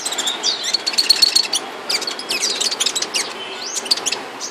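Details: Seven-colour bird, a flowerpecker kept caged during moult, producing a run of quick high tsip notes, then scattered sharp chips and a brief twittery flurry, low hiss underneath.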